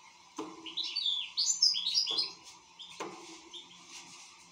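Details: Singing European goldfinch giving a burst of fast, sweet twitters and chirps that fades softer, with three sharp knocking clicks spaced about a second apart and a steady low hum.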